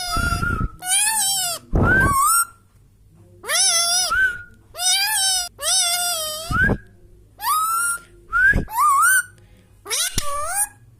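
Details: Indoor pet Indian Ringneck Parrot calling busily, harsh rasping squawks interleaved with short rising whistles in quick irregular succession, almost continuous throughout with a low hum beneath.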